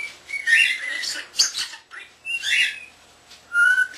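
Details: Pet common starling not yet a year old, kept indoors, mixing talking with whistling: buzzy mimicked word sounds, then a clear steady whistled note at the end.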